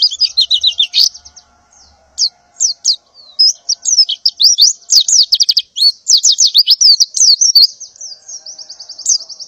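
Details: Female white-eye in breeding condition calling to males in the morning, seeking to mate: dense, rapid high chirps and sharp downslurred notes in fast bursts, with a few brief pauses between runs.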